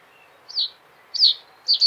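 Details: Common reed bunting phrase: two high, sharply falling notes about half a second apart, then the start of a further pair of notes cut off at the end, over quiet hiss.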